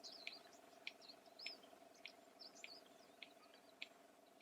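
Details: Beak-slammed clicks of a red-crested bustard, used for contact and by courting males: crisp, dry knocks about every half second, eight in a row, with thin twittering birdsong and a constant low drone behind.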